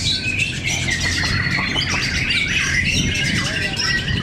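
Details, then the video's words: White-rumped shama fighters (murai batu) singing against each other in a fierce contest at Cibinong; a dense tangle of clear whistles, trills and short squawks repeats rapidly over steady low-frequency crowd and room noise. "Pertarungan sengit murai batu fighter"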